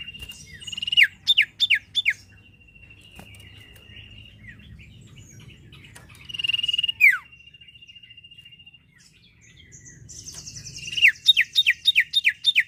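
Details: Sirtu bird in lively song, used to prompt other birds to sing: bursts of sharp downslurred whistles repeated rapidly, joined by a long steady high whistled tone, with a low background hum.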